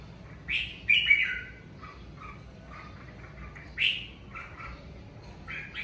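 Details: During the covid season a red-whiskered bulbul sings loud, rich whistled phrases at intervals, with quieter short chirps between them.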